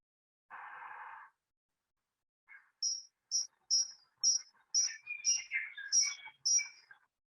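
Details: Dunnock in New Zealand, an introduced bird of pastures and urban edges, giving its distinctive "squeaky wheel" call: thin, very high squeaky notes, about two per second, with lower creaky overtones, after a brief rushing noise.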